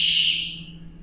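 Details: A barn owl gives one harsh, hissing screech, high and breathy, that fades in under a second over a faint low hum; a call played during a talk, of a species that roosts near campus buildings at night.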